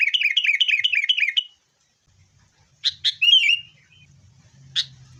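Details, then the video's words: Sooty-headed bulbul lure song for caged birds, fighting style: a rhythmic series of six bubbly two-part chirps, silence, then a few sharp scattered notes with a quiet hum beneath. "kutilang gacor TARUNG buat pancingan kutilang agar bunyi"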